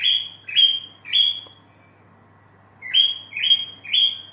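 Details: A female cockatiel (Nymphicus hollandicus) sings a series of bright, rising whistled notes in two bursts separated by a pause.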